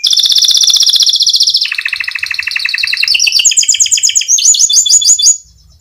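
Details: Canary song, long and rolling, played to coax canaries into singing. Successive fast trills, each a second or so long, step downward and then climb higher before the phrase ends abruptly.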